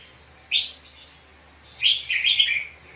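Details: Red-whiskered bulbul singing aggressively in a duel while being trapped. A single sharp rising whistle, a silent gap, then a rapid tumbling string of bright chirpy notes.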